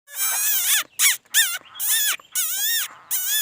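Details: Singing laughingthrush with a beautiful song: loud, rich, buzzy-toned phrases that swoop up and down in arcs, delivered in six bursts separated by brief gaps, with no other clear sounds.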